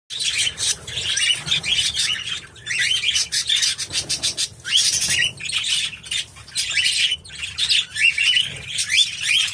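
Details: A 16-year-old male budgerigar, born 2007, in good health but unable to fly, chatters in rapid, scratchy warbles and chirps, with brief pauses between bursts.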